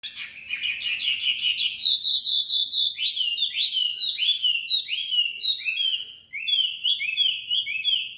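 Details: Tame caged Chinese hwamei from Hanoi, Vietnam, in competitive singing with fast beak delivery: a dense burst of notes, then a string of loud slurred whistles sliding down, repeated roughly every half second.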